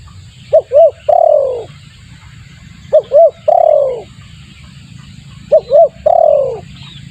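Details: Spotted dove lure call: three phrases, each two short coos followed by a longer descending coo, spaced about two and a half seconds apart, with faint low hum.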